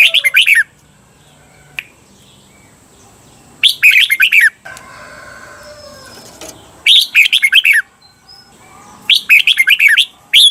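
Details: Red-whiskered bulbul in the Thai 'double' (เบิ้ล) song style, meant for training cage birds; four quick, chattering phrases of clustered whistled notes, roughly every three seconds, with a soft rustling between.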